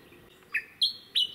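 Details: Japanese bush warbler singing on Teuri Island, Hokkaido, Japan, on 22 June 2019: a steady whistled note followed by two higher, sharp, emphatic notes a third of a second apart.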